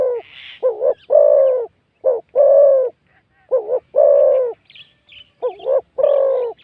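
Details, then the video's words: Spotted dove, wild and big-voiced, cooing during a session with a decoy bird. A rhythmic series pairs short quavering notes with long mellow coos, and faint chirps of other birds sound between phrases. "ต่อนกเขาใหญ่ เจ้ามังกรเงิน แต้มที่89นกป่าเสียงใหญ่คารมดีครับผม"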